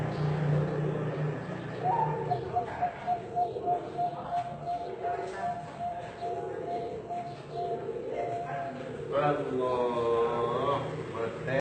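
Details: Zebra dove bred in Indonesia, singing in the ASEAN voice style: a long run of rapid, evenly pitched cooing notes lasting about six seconds, with human voices, a low hum and background chatter throughout.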